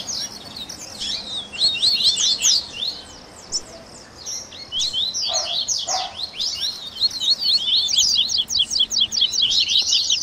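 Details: Warm-up recording to encourage a captive double-collared seedeater to sing: dense, rapid high chirps and twittering trills, pausing briefly near four seconds, with two lower short notes around five to six seconds.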